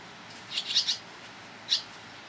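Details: Barn swallow young at the nest, being fed by fast-coming parents, in Toronto, Ontario, on 11 July 2010, give high, thin squeaky chirps: a quick cluster of three, then one more a second later, over quiet hiss.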